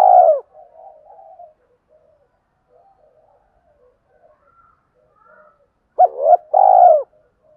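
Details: Spotted dove cooing to provoke competing males: one strong mellow coo opens, faint soft murmurs follow, then after a pause two clipped notes and a full rolling coo that slides downward.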